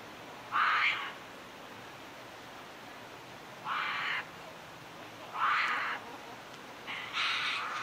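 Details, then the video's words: Tawny Frogmouth (Podargus strigoides) fledgling giving night-time contact calls after dark, Melbourne, Victoria, 6 December 2020: four harsh, hissing rasps about every two seconds, each about half a second long, over a quiet background. "Tawny Frogmouth fledgling night contact call"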